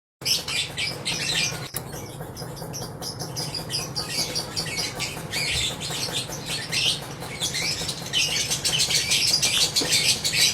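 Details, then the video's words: Lovebird in long ngekek singing: a dense, rapid stream of sharp, scratchy chattering notes, high-pitched and nearly continuous for ten seconds, with a steady low hum underneath. "Love birds gacor ngekek panjang konslet - Love Birds Sounds Ngekek"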